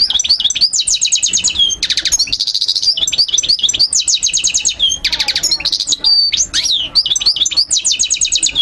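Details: Loud, clear goldfinch song for tutoring young birds: rapid ringing trills, liquid slurred whistles and nasal buzzy notes follow one another almost without a break.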